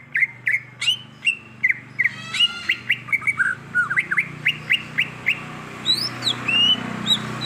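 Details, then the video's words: Greater green leafbird singing in the wild: a quick stream of short, sharp whistled notes, many slurred downward, varied in pitch and tightly packed, with a few higher squeaky notes near the end. "Suara Asli Cucak Ijo | Suara Alam Cucak Ijo"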